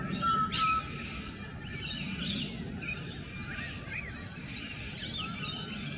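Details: Wild rainbow lorikeets courting in their natural habitat on a morning: harsh, scratchy chattering notes and short rising squeaks in irregular bursts, with a thin steady whistle early on and low outdoor rumble throughout.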